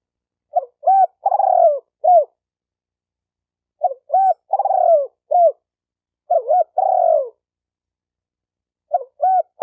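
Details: Spotted dove calling to arouse decoys, males and females: about four phrases repeated every two to three seconds, each two short rising coos, a long falling coo and sometimes a short closing note, with nothing else audible.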